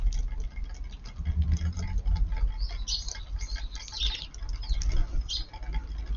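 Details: On a warm March 23, Eurasian tree sparrows come to a garden around noon to eat. Scattered high chirps cluster in the middle, with rustling and a low rumble beneath.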